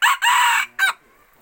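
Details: Red junglefowl rooster kept as a decoy, crowing at close range: a loud, harsh burst, then a longer rasping note, then a short clipped final syllable, all within one second, followed by quiet.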